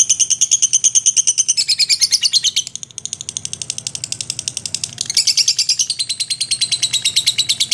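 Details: Lovebird in a long ngekek, an unbroken rattling chatter of shrill chirps at roughly three per second, its pitch stepping down and up, briefly softer near the middle.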